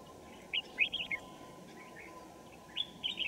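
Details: Red-whiskered Bulbul at a trapping site in Kim Bôi, Hòa Bình, on a winter morning, 3 January 2018: a quick burst of three or four sharp chirpy notes, then a pause, then a brief whistled phrase, over a low steady hum.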